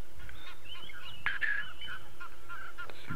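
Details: Distant Egyptian goose flying high overhead during a sunset drive on November 22, 2016, giving a few harsh, honking calls over a steady low rumble of engine or wind.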